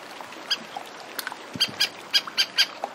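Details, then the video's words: Antarctic terns calling in flight above lapping sea by the shore: scattered sharp, ringing high notes, a few faint at first, then a tight run of five or six louder calls in the last second and a half over soft surf. "Antarctic Tern. Several Calling In Flight"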